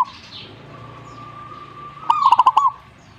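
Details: A single zebra dove phrase near the end: a brisk run of about six bubbling coo notes. Before it, a long, steady, thin tone holds for over a second, along with light background noise.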